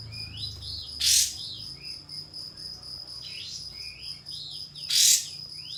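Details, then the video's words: Pied fantail calling to a rival as a lure to make it fan its tail: two loud harsh bursts four seconds apart, with sliding whistled arcs between them and a constant high-pitched hum behind. "Kapas Tembak Bukor Mbeset Memanggil Lawan Untuk Pancingan Katem Agar Buka Ekor Gacor"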